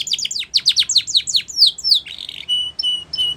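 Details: Training song of a Spanish Timbrado canary, with quick rows of steep downward-swept chips that slow and drop lower, a short buzzy roll, then a few thin, level, sustained whistles.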